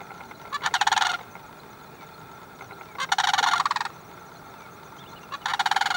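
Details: Sandhill cranes giving loud rolling, rattling bugles in three bursts of about half a second to nearly a second each, with dense pulsed trills separated by quiet gaps.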